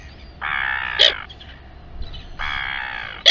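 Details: Royal albatross from the colony at Taiaroa Head near Dunedin, New Zealand: two drawn-out nasal calls, each ending in a sharp high yelp, separated by a quiet pause.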